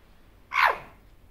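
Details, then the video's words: A year-old pet male Barraband parakeet talking to himself in the mirror gives one short, hoarse, downward-slurred squawk, sharp at the start and fading quickly in a quiet room. "Barraband parakeet sounds"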